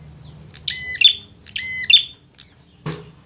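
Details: Prinia fighting calls for training caged songbirds: two strident, buzzy twin notes in quick succession, then softer clicks and a low knock at the end.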